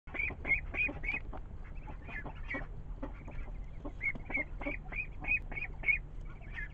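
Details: Ducklings giving a rapid run of short, high, slightly rising peeps, several per second in uneven bursts, with steady low rumbling background noise throughout.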